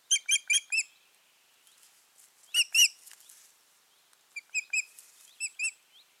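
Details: Osprey pair at the nest on 14 June 2019, after their nesting attempt failed; a quick trio of shrill whistles, a pair of louder squealing notes, then a looser scatter of sliding whistled calls.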